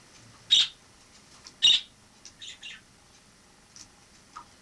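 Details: Indoors, a wild sparrow that came in through a balcony and stayed from autumn 2006 until summer 2007 gives two loud, sharp, high chirps about a second apart, followed by softer twittering notes.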